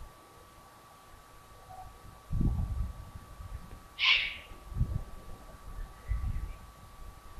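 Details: Eurasian eagle-owl family at the Königstein castle ruin in Taunus, Germany, on the evening of 15 July 2020: one short, hoarse, hiss-like screech midway, with low knocks and thumps before and after it.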